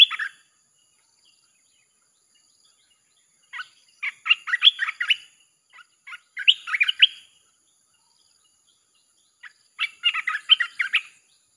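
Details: Red-whiskered bulbul song played to lure wild birds: three bursts of quick, chattering whistled notes around 4 and 7 and 10 seconds, with silence between, plus a brief note at the start.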